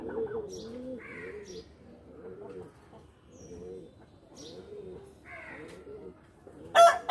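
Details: Pigeons playing in their loft make soft, deep, bubbling coos in overlapping bursts, with a few faint higher squeaks and a sudden loud clatter at the end.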